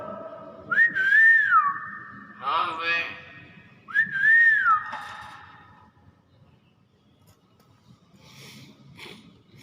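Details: Caged hill myna responding to its keeper indoors: two matching whistles rising and wavering, with a rough rasping note between them, then quiet room noise and faint rustles.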